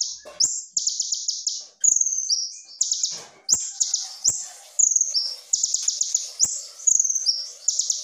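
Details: Masteran recording of a kolibri ninja singing gacor, full of tembakan and isian. Repeated bursts of very high, rapid stuttering trills mix with sharp slurred whistles in a quick, almost continuous run.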